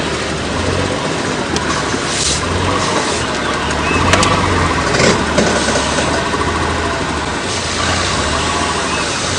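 A vehicle engine runs loudly throughout, with brief human speech and no animal sound.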